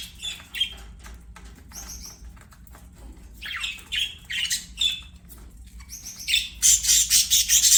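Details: Playing budgies singing, with scattered squawks and whistles that build into a loud, dense run of buzzy rattling chirps near the end.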